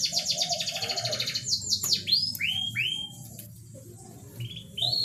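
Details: Canary song played as a lure to bring a reluctant canary into breeding condition; opens with a fast rattling high trill, then a run of sharp downward-sweeping whistles and brief rising notes, with a soft low hum beneath.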